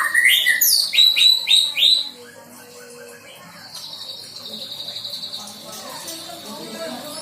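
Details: Recently moulted young white-rumped shama learning song material: loud bursts of sweeping whistled notes for two seconds, then a long steady high trill with softer chirps underneath.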